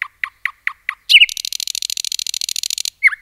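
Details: Forest nightingale singing: five short evenly spaced chips, then a loud stuttered note leading into a long fast dry rattling trill, ending with a falling slurred whistle.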